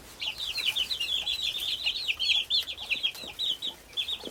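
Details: Cheep of chickens' young: many short, high, slightly downslurred peeps tumbling over each other in a steady chorus, a few soft taps and rustles in the background.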